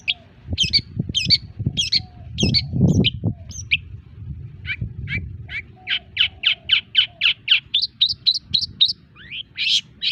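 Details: Long-tailed shrike song: scratchy notes over low rumbling handling noise at first, then a steady rapid run of short chips, about four per second.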